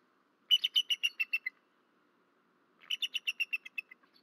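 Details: Bald eagle male vocalizing around midnight at a nest in Rome, Georgia, on 13 March 2024; two rapid series of high, squeaky chattering notes, each series about eight notes falling slightly in pitch and fading, separated by a short quiet gap.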